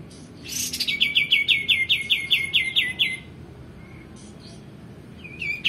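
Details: Energetic male white-eared bulbul song used to train magpie-robins: a brief scratchy burst, then a quick train of about a dozen sharp down-slurred chirps, a pause, and a lone soft note with a final chirp.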